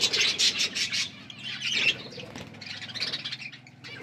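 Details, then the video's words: Lovebirds calling while mating: a rapid run of high, sharp chirps and squeaky twitters in quick pulses, with a low hum and soft wing rustling beneath. "Lovebirds mating sounds"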